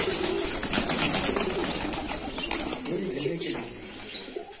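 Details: Pigeons at a large farm in Bangladesh holding 120 pairs, recorded July 2025: low, rolling coos overlap in a steady murmur, with a voice talking and clicking, rustling noise from the loft.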